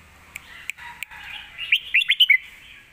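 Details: Red-whiskered bulbul kept in a cage, singing the forceful Lak Wai song used as a master song to tutor young birds; after a few sharp clicks, a brief run of four or five quick looping whistled notes ends the phrase.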